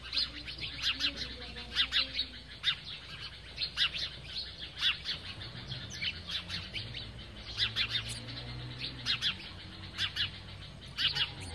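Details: House sparrows chirp while feeding, in bright, overlapping bursts of several short notes clustered each second, over a low background hum.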